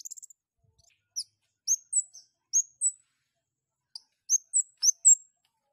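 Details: Long-tailed shrike in breeding condition, singing eagerly: a short fast stutter, then high, sharp, down-slurred chirps. Some come singly and some in small groups, with pauses between. Otherwise silent.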